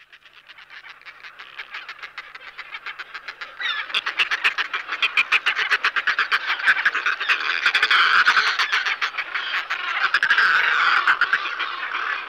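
A northern fulmar gives a harsh, guttural cackle of rapid pulses, about four a second, that swells louder and hoarser partway through. No other sounds stand out.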